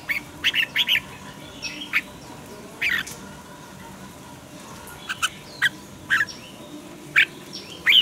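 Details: Red-whiskered bulbul used for song training, heard as short sharp bursts, some slurred, scattered irregularly over eight seconds, with two or three notes close together at times, against a faint steady background hiss.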